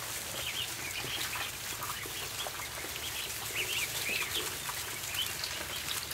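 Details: High short peeps from ducklings feeding on the floor of a barn, irregular and overlapping, loudest near the middle and end, set against busy rustling, pecking clatter and a low mechanical hum.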